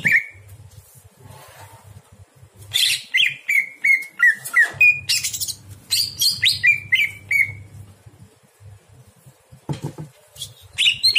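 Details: Greater green leafbird singing at night, recorded to train other birds: a fast string of short clear whistles, each slightly falling, interspersed with scratchy bursts, followed by a quiet stretch with hum.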